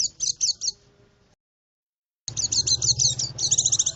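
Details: Sharp high twittering of a white-eye, a lure sound for forest birds; a short run of notes, a silent gap, then a denser chattering burst over a low hum.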